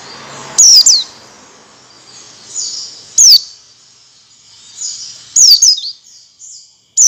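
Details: Oriental white-eye lure song meant to prompt other white-eyes to sing wild style and open their beaks: isolated high, thin, downslurred chirps spaced about two seconds apart, with softer faint notes between them over a quiet background.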